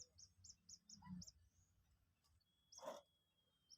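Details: Two-day-old Common Moorhen chick learning to eat feed: five quick high peeps, then a pause with a low thump and a click, and two more peeps near the end.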